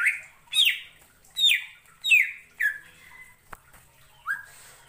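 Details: Greater green leafbird song, a mimic's song meant to provoke other leafbirds. Separate rich whistles fall steeply in pitch, each about half a second apart, then a lone click and one final upward-bending note.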